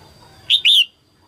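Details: Red-whiskered bulbul female singing at the start of the 2022 season to arouse males. One sharp, whistled double phrase: a short note, then a longer curving one, against a soft low hum.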